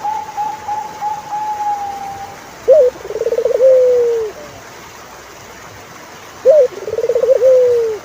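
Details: Two turtle dove phrases about four seconds apart: a short high note, a fast pulsed tremolo and a long, gently falling coo. Before the first phrase, another bird gives a level warbling whistle.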